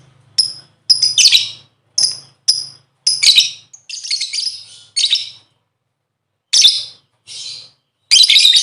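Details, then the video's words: Lovebird lure call to make other birds sing: a rapid series of sharp high chirps building into harsher chattering bursts, then scattered squeaky calls. "Burung Lovebird ll Pancingan Suara 5 detik Langsung Gacor"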